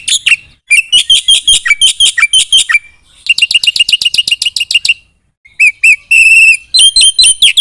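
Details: Lively Black-winged myna song with fill-in phrases: bursts of rapid, harsh, repeated chirps broken by short pauses, mixing buzzy trills and a few clear upward notes, with no other sounds.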